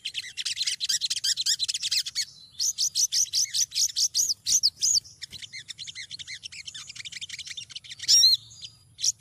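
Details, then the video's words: A female olive-backed sunbird calls to attract a male, as a lure: a fast, buzzy high trill, then a steady series of around a dozen evenly spaced arched chirps, more dense twittering, and one loud ringing note. "Sogon betina gacor memanggil jantan"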